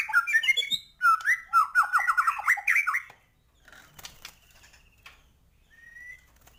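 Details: White-rumped shama singing gacor with full isian: about three seconds of rapid, varied whistled phrases, followed by quiet clicks and one thin, steady whistle.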